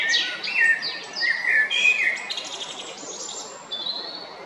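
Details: Singing male Eurasian blackbird, Jarun, Zagreb, Croatia, 22 April 2021. A quick series of fluty warbled notes and high twittering strokes comes first, fading into softer, thin, sustained high whistles.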